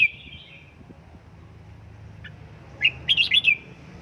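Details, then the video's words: Red-whiskered bulbul kept at home in 'căng lửa' training, a faint trill at the start then a brisk phrase of five or six sharp, lively chirps, against a low background hum. "Cách luyện chào mào căng lửa | Dợt chào mào tại nhà, QUÁ HAY nhanh căng lửa chào mào| Birds chirping"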